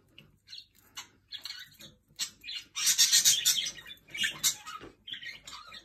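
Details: Jenday conures calling while sharing bread: scattered high chirps at first, then a loud burst of harsh, shrill squawking chatter in the middle, followed by a few more screechy notes.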